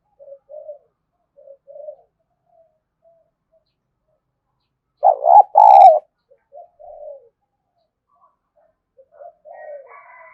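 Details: Spotted dove call played as a lure for wild doves: soft paired coos, then a loud bubbling two-part coo midway, followed by quieter coos. A faint higher-pitched sound enters at the end.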